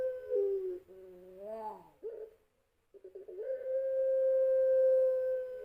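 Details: Puter pelung of champion stock giving a lure song: falling and rising warbled notes, a short pause, then a rising onset into a long, level, resonant coo held for over two seconds.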